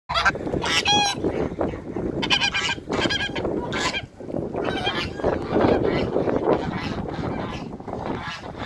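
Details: Toulouse geese, a pair on a farm with other waterbirds, being greeted: loud harsh honks in repeated bursts, several overlapping, broken by short pauses, with busy farmyard noise throughout.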